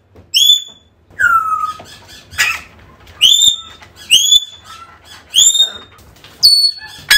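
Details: African grey parrot calls for luring a lost bird home: a lively run of high upslurred whistles interspersed with lower falling squawks and a scratchy rasp, roughly one sound per second.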